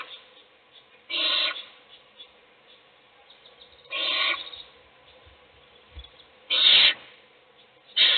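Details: Owl feeding one chick inside a nest box while the remaining chicks sleep; four harsh, hoarse hisses at irregular gaps of two to three seconds, with light scuffling in the pauses.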